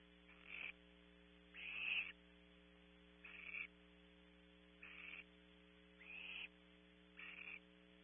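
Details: Young barn owl owlet in a nest box at Audubon Starr Ranch, California, giving six harsh, breathy hissing bursts spaced about one to one and a half seconds apart over a steady low electrical hum.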